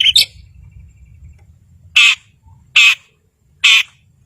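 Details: Long-tailed shrike calling to provoke mute birds into singing: two quick chirps, a pause, then three loud, harsh, rasping notes under a second apart.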